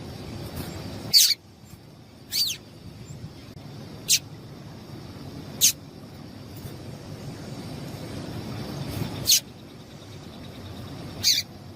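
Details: Calls of a female double-collared seedeater, meant to get males singing: single sharp, very high chips, each falling slightly, spaced one to three seconds apart over a faint steady hiss.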